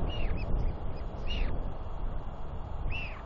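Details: Royal albatross chicks wheeing as a father returns to feed and preen his chick, 9 June 2021; three loud arched whistled 'whee' calls, rising then falling, over a steady low wind rumble.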